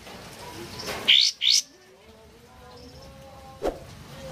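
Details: A sooty-headed bulbul sings on a rainy morning, two quick, bright, rising chirped notes close together, then a lone sharp note, over a soft steady hiss.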